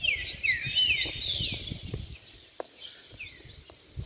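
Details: Caged canaries kept side by side, singing in an agitated bout; high whistled phrases and buzzy downslurred trills tumble quickly one after another, with soft tapping and rustling below.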